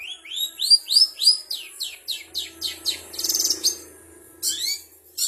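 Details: Long-tailed shrike (cendet) singing learned material imitating other birds, including canary and sparrow: a fast series of high rising chirps repeated about three per second, then a buzzy rattling burst and sharp downslurred notes.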